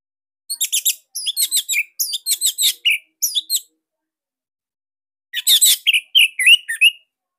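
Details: Bali orange-headed thrush, a kept songbird, delivers an energetic 'sirtu' burst series: rapid buzzy chirps with bright overtones in two bouts, the second ending in lower slurred whistles, on a clean, quiet background.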